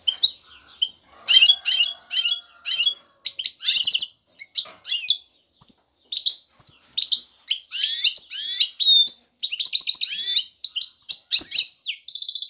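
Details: Male European goldfinch in breeding readiness, calling a female to mate: lively twittering song of short high chirps in clusters, buzzy trill segments and sweeping rising notes, delivered in quick phrases separated by tiny gaps.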